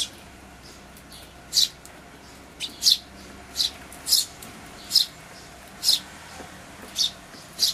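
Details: Eurasian tree sparrow parent feeding chicks at a bird feeder on 28 May 2013, Everio camcorder; single sharp, high chirps repeated at fairly even intervals of under a second, about nine in all, over quiet background.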